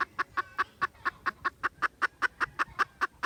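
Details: Junglefowl on 16 December 2021 delivering a fast, regular run of hard clucks, roughly five per second, against low background hiss.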